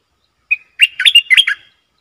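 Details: A caged Streak-eared bulbul, used as a decoy for wild birds and a tutor for young birds, delivers one clear lead note followed by a quick gurgling run of liquid whistles.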